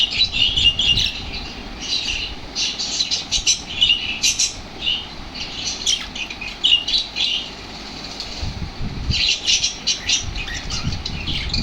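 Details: Excited lovebirds becoming very active on hearing lovebird sounds: dense, harsh, high chattering squawks in rapid overlapping bursts, with short pauses, over a steady low background hum.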